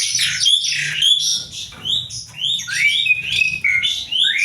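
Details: Asian pied starling singing a varied kreasi-style song: rapid run of bright whistled notes, many sharply upslurred, mixed with harsher chattering phrases, with a steady low hum underneath.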